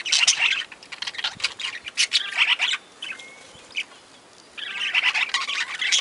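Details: A mixed aviary of caged budgies, parakeets and lovebirds producing a dense chorus of harsh, high chirps and squawks that fades to scattered notes before the chatter swells again.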